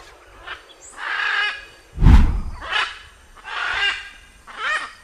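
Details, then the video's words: Blue-and-yellow macaw calling with drawn-out, hoarse, grating squawks about once a second, one overlaid by a deep thump, with faint rustling in between. "CANTO DA ARARA CANINDÉ"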